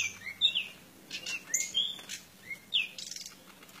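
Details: Pied bushchat in fight mode giving a string of sweet, slurred whistles that sweep up and down, spaced unevenly with soft ticking notes between, against a low hum.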